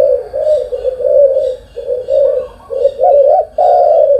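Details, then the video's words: Spotted dove cooing in the morning: low, mellow hooted phrases of three to four notes, the last note louder and drawn out, with short pauses between phrases. "cu gáy sáng"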